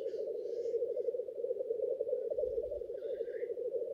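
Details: Black grouse males displaying at their lek produce a continuous low bubbling coo, with a hissing burst at the start and a thinner whistled note near the end.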